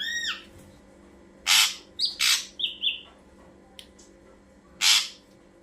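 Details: Ashy drongo song played to lure birds: harsh broadband rasping bursts alternating with short whistled notes, the rasp repeated about three times over several seconds.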